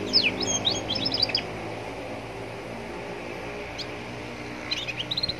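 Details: Young Atlantic canary singing by a roadside to prompt other canaries to sing; a burst of fast high trilled notes opens, a near-quiet stretch of traffic noise follows, then another quick twittering run closes.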